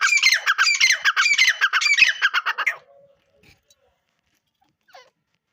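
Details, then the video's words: Grey francolin used for fighting, delivering a fast run of loud, grating squawks for about three seconds before falling silent. "Teetar voice"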